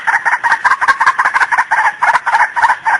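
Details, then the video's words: White-breasted waterhen call used as a trapping lure: harsh, clucking notes repeated rapidly and unevenly in a steady chattering run, with no break, and no other sounds. "Suara burung Ruak Ruak pemikat"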